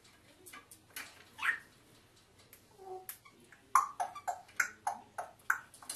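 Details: Pet African grey parrot indoors making scattered clicks and a rising whistle, then a steady series of sharp click-whistle notes, roughly three per second toward the end.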